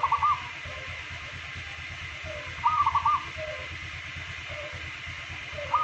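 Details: Local zebra dove, a daily singer kept for its golden voice; rolling, bubbling coo phrases about every two and a half seconds, with softer low notes between, over steady hum.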